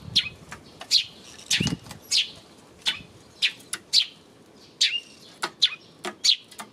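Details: Eurasian tree sparrow on 28 May, calling with single high, slightly rising chirps spaced roughly half a second apart, with soft fluttering wingbeats in places.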